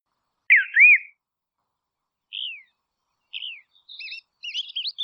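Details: Dusky robin calling in Tasmania, Australia: two loud arched, downslurred whistles, then a quieter run of short twisting chirps and whistled notes near the end, with silence between phrases.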